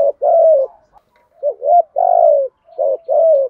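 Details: 'Thúc gù' stimulating call of a spotted dove, 'thổ'-style coo for training newly caught birds. Steady low, mellow cooing in short-long pairs: a long coo, a brief note, then two more pairs over about three and a half seconds.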